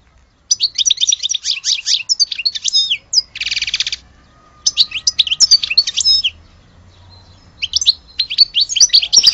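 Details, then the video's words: Algerian European goldfinch song in twittering bursts of bright chirps and trills, broken by a short buzzy rattle and a pause before the song resumes. "Le vrai chardoneret de Alge"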